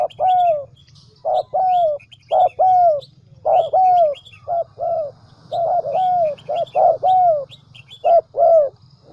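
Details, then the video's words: Spotted dove serving as a lure for trapping, from the Central Highlands of Vietnam, coos steadily in repeated groups of short notes ending in a long falling croon, about once a second, with other birds chirping faintly. "Chim Cu gáy mồi đỉnh tây nguyên"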